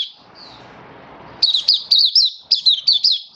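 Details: Kept oriental white-eye singing happily in open song, 24 February 2023. A faint high note over low room noise, then quick, piercing, high chirps that twist up and down, roughly two per second, in two short runs.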